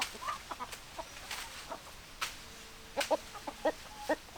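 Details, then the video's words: Domestic hens clucking: short, separate harmonic clucks and a few squawky notes spread through the recording, some sharp and close, others soft, over a steady background hiss. "Chicken Sounds Noises Hens Clucking Roosters Crowing"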